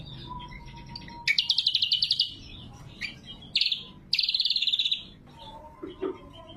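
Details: Lively cucak kombo, greater green leafbird, with lure and tutor song: a steady faint whistle, then two loud buzzy pulsed trills, each near a second long, with sharp clipped notes in between.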